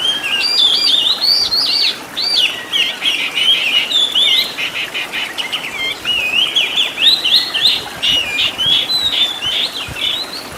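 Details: Oriental magpie-robin training song with many fill-ins: long, unbroken stream of fast, high, twittering and whistled notes, zigzagging up and down in pitch, with hardly any pause over ten seconds.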